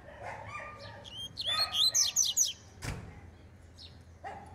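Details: Double-collared seedeater warming up, described as a fast, spirited singer: a burst of rapid, high, slurred whistled notes, with a sharp click and a short low bark-like sound afterwards.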